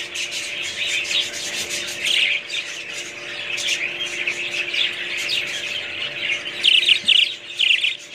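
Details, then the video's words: Budgerigars chattering as a group: a dense, continuous wash of high chirps, squawks and warbling notes that swell and fade, with a few louder scratchy bursts near the end. "budgies parrots"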